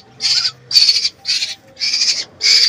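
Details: Baby birds kept at home begging while being hand-fed grasshoppers at night: harsh, hissing rasps repeated about twice a second in five loud bursts, with faint low household hum beneath.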